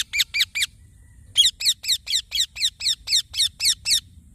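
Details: Green baby parrot chirping: a burst of four harsh, rapid chirps, a short pause, then a steady run of about eleven more, each a quick buzzy note repeated roughly four times a second.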